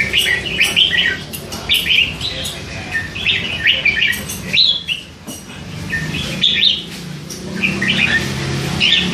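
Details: Three-month-old hand-reared red-whiskered bulbul in a cage, chattering all day with snatches of song; dense runs of quick warbled, slurred notes in bursts, with brief pauses and a low background hum.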